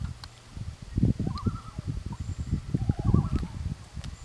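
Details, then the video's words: Loon calling in reply to other loons; two wavering tremolo phrases, rising then quavering, against loud gusty wind rumble. "Loon other loons call"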